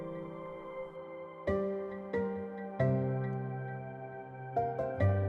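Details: Soft ambient piano-like music with sustained tones and a few struck chords, no animal voices.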